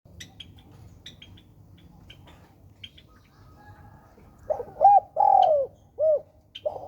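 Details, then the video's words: Spotted dove, called tekukur, giving one coo phrase late in the recording: a short rising note, a longer drawn-out falling coo, then a shorter coo. Faint chirps from other birds fill the quiet opening. "most beautiful fancy Spotted #tekukur"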